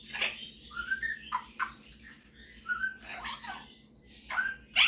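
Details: Soft whistles and squeaky chirps from a male pet Superb parrot showing off his singing and mimicry, including a few short, clear, whistled slides between quiet pauses.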